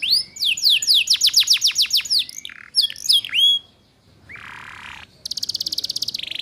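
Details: Training song of a female canary for young birds learning ngeriwik. A quick trill of sharp down-slurred notes and twisting whistles gives way, after a short gap, to a lower buzzy note and a fast, high rattling trill.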